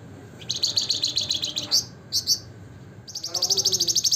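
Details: A flamboyan, or Javan fulvetta, sings in the lively gacor nembak ngebren nyiul style: a long run of fast, high chirps, two short bursts, then another rapid trill of evenly spaced notes.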